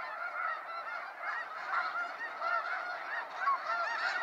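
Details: Snow geese at a sunset fly-out over Sacramento National Wildlife Refuge, a slightly more distant flock giving a rolling chorus of nasal honks that rise and fall in loudness.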